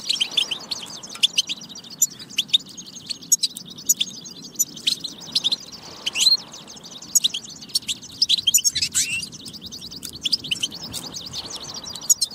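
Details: Batba song of the European goldfinch, used to push other goldfinches into singing; long continuous run of rapid high chirps, twitters and short buzzes, with sharper accented notes scattered throughout.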